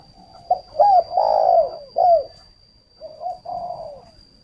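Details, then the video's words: Spotted dove decoy for luring gives a quick run of short and drawn low coos, one loud phrase then a softer reply phrase, a constant faint high tone in the background. "Chim cu mồi"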